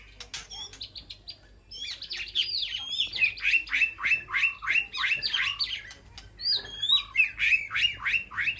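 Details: White-rumped shama in a peaceful aviary sanctuary calling to its flock: a rapid, rich run of whistled and chattering notes sweeping high and low, repeated several times a second, with a brief quieter pause midway and another bird's high thin notes.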